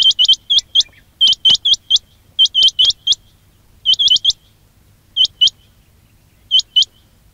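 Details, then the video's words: Quail calls recorded for use as a trapping lure. Sharp, upward-flicking whistled notes come in pairs and triplets, with irregular pauses between bursts, over a faint low hum. "quail batair ki awaz"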